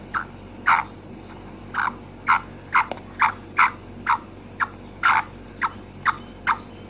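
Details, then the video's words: Brief, grating notes from a female black francolin, about two per second and fairly steady, with one sharp click partway through and a soft constant hum. "Kala teetar ki maadi ki awaz// voice of black francolin female"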